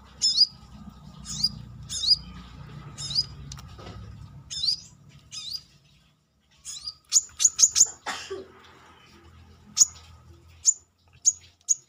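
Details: Brown-throated sunbird singing outside the cage: evenly spaced high upslurred chirps, then a quicker run of thin, very high notes and a brief rustle.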